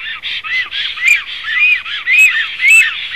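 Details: Black stork chicks at a nest in an oak on a small river bank in old-growth forest, Zemgale, Latvia, late May 2015, give a dense run of hoarse, squawking overlapping calls, about twice a second, with sharper high notes.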